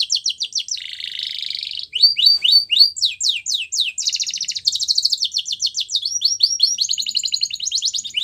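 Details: Canary singing, meant for training young canaries: a varied, continuous song of quick high notes, a buzzy rolling tour, falling slurred syllables, a dense rapid trill, then more whistled repeated phrases.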